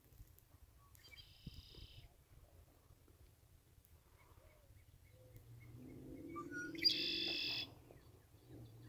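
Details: Red-winged blackbird: a short buzzy burst near the start, then a louder, harsh, broad trill lasting under a second near the end, over a steady low rumble.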